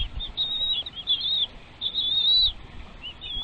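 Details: Chicks in a nest being fed by parent birds: high, thin, wavering squeaky calls in bursts of about half a second, repeated several times, with soft rustling and wing flutters.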